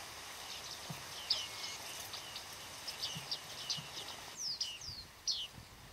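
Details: Small autumn flock of bearded reedlings at Flamingo Lake in Shirvan National Park, Azerbaijan, 8 November 2013; scattered high, sharp ringing 'ping' notes, some downslurred, given irregularly over a faint background hiss.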